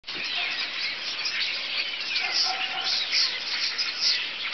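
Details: A large, loud flock of birds gathered on a telephone pole and wires, calling nonstop outdoors; dense overlapping high chirps and squeals form a continuous chorus, with faint background rumble.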